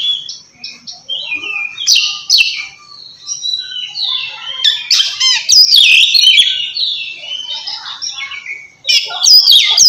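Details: Calling a rival, an Oriental magpie-robin sings in ngeplong style to set reluctant birds singing: continuous high whistled phrases with slides and chattery notes, quieter mid-section, ending in a sudden loud burst.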